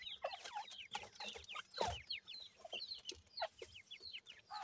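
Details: Francolin (dakhni teetar) chicks calling with scattered high, downward-sliding peeps in loose bursts, a few louder notes standing out, over faint low background rumble.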